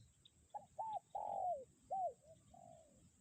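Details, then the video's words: In strong wind a decoy spotted dove gives its 'kuk 1' call: a soft lead note, a quick arched note, a long mellow sliding coo, then a hooked note and a fading tail, over gusty low noise. "angin kencang pikat tetep bunyi kuk 1"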